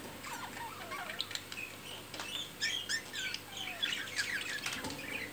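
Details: Budgerigars courting around mating: a continuous busy warble of quick chirps, clicks and whistled notes at a fast pace.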